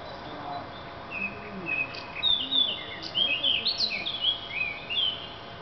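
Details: Thrush singing a varied, inventive song: clear whistled phrases, short rising and falling notes and quick twittered flourishes, most of them in the middle of the clip, over a steady low background hiss.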